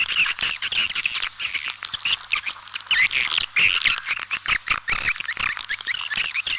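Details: Swiftlets heard in a lure track used to attract them: layered high chirps, squeaky twitters and dry clicks in uneven pulses, with a thin high tone persisting throughout.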